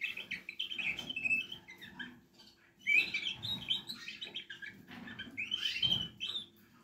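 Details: Young Portuguese Harlequin canaries give high, squeaky chirps in short bursts separated by pauses, some notes sharply rising, over soft rustling and a low steady hum.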